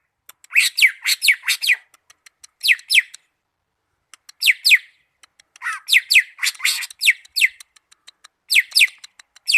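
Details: Greater green leafbird from Malinau singing in rapid bursts of sharp, downward-sweeping whistles, often paired, with short pauses between clusters of notes.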